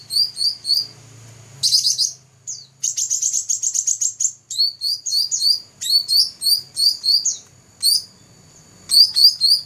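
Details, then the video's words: Black-throated laughingthrush, a first-place competition champion recorded in 2014, sings rapid runs of high, sharp, slurred whistles. The notes come in quick repeated bursts, with one dense chattering stretch near two seconds and a faint low hum beneath. "Burung cucak rante juara 1"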